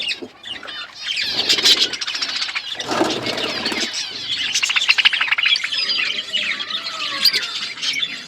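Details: Budgerigars chirping as they eat: overlapping rapid warbling and clicks, interrupted by a broad rustle near the middle, then a few thin whistled notes.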